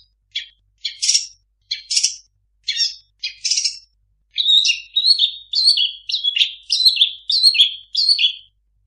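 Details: Long-tailed shrike song rich in mimicked phrases: a run of short buzzy chirps, then repeated slurred whistled notes, delivered in quick bursts about every half second.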